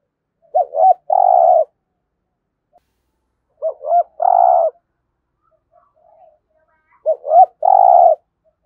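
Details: Spotted dove in Đồng Nai giving a competition coo. Three phrases, each two short looping notes followed by a long, steady, buzzy coo, return about every three seconds against a quiet background.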